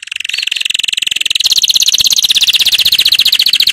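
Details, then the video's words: Powerful canary training song, a loud, rapid, rolling trill held throughout on a high pitch. The beats are evenly spaced and grow slightly stronger partway through. "Canary 's most powerful song for training"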